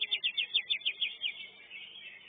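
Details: Greater green leafbird in a first-class songbird singing competition, delivering about eight quick, buzzy, high notes in a steady run, then a softer trailing warble as other contest birds chatter faintly behind.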